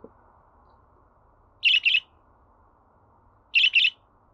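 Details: Pet budgerigar chirps meant to set a listening budgie singing: two double chirps, each a quick, sharp pair, about two seconds apart with quiet between them.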